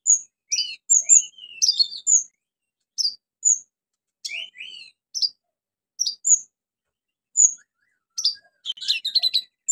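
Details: Vigorous orange-headed thrush song intended to stimulate non-singing birds: varied high whistles, short down-slurred notes and quick chattering bursts, loosely spaced over nearly ten seconds, ending in a dense twittering flurry.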